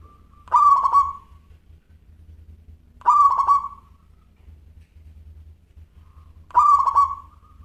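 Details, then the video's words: Actively singing local zebra dove with a crystal voice: three evenly spaced cooing phrases about three seconds apart, each opening brightly, stuttering in quick beats, then trailing softly, over a constant low hum. "Perkutut Lokal Gacor Suara Kristal"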